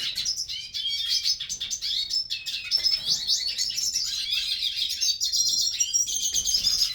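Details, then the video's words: Aviary-bred hooded siskins keep up a steady, high chorus of twittering and trilled phrases with clear whistled notes throughout, barely pausing. "Aves começam a cantar no Criatorio."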